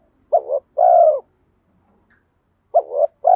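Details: Spotted dove urging coo, bronze-voiced 'giọng đồng' style with 'mắt me' accompaniment, meant to lure wild birds in; a quick two-part hoot followed by a longer low coo, a pause of over a second, then the phrase begins again.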